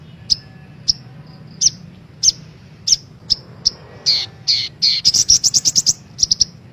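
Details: Female brown-throated sunbird calls used to lure caged birds into singing: evenly spaced high chips, then buzzy slurred notes and a quick rattling series of very high chirps.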